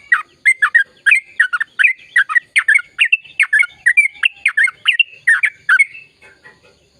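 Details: Sustained gacor ropel song from a yellow-vented bulbul, a cheerful string of quick bubbling notes that fades out near the end.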